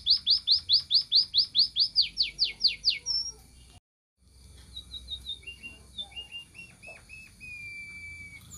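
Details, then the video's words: Munia (emprit) singing: a loud run of quick, high descending chirps for about three seconds, a brief silence, then softer, thin whistled notes that level off. "kicauan burung emprit"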